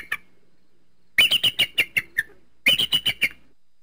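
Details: Eagle uttering high, shrill yelping notes: a single note, then two quick series of six or seven chittering calls, falling slightly in pitch.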